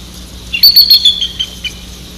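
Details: A bald eagle (Haliaeetus leucocephalus) on the Maurice River calls to its mate with a quick run of thin, high, chattering notes sliding slightly downward over about a second, against a faint low hum.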